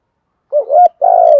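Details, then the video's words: Brief spotted dove thúc gù phrase in a deep giọng thổ voice, aimed at drawing wild birds in: a soft rising double coo followed by a sustained, pulsing coo that trails off. "cu gáy thúc gù giọng thổ/ kích là gáy. bổi nghe nhanh về và nhanh gáy"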